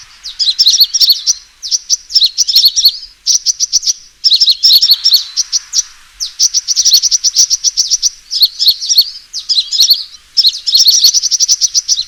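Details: Fighting call of a sunbird used as a lure for bird catching: long series of rapid, piercing chirps in fast trilled bursts separated by short silences.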